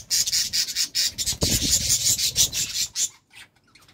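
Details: Budgerigars at love time give quick, raspy high chirps for about three seconds, joined by a low rubbing or scraping sound midway, then fall nearly silent.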